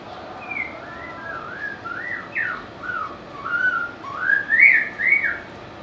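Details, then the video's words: White-rumped shama song made of rich, looping whistles that swoop up and down in wavy phrases, rising in strength toward a loud finish, with brief pauses between notes. "เสียงนกกางเขนดงร้องเพราะๆ/ນົກແຕ້ມປູນດົງຮ້ອງມວນໆ/Âm thanh của chim ác là/Burung murai"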